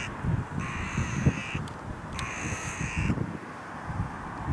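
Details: Carrion crow calling at a clifftop feeding spot where 60-80 crows gather to greet the person bringing whole wheat grain; two long, harsh, flat caws about a second each with a gap between, over background rustle and low noise.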